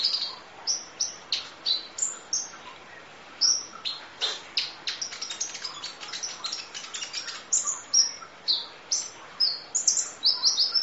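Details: Kolibri ninja sunbird masteran training recording of full song: fast sequences of high, piercing tweets and clipped chirps, bunched into rattling runs, steady through the clip with light background hiss.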